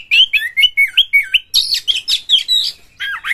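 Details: Loud Oriental magpie-robin lure song with rough material, meant to get other birds singing. Quick, evenly spaced whistled slurs roll at about four per second, then switch to high buzzy, grating notes and a final twisting phrase.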